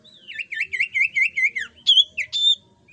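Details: Jungle flycatcher song used as a lure to draw other birds into singing: a run of quick, looping, slurred whistles repeated about five times, then a few sharper high whistled notes. The background is quiet.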